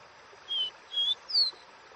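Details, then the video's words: Dó Ré Mi song of a caboclinho: three evenly spaced whistled notes, two level tones followed by a higher downward-sliding one, with a faint constant hiss behind. "CANTO DO CABOCLINHO Dó Ré Mi"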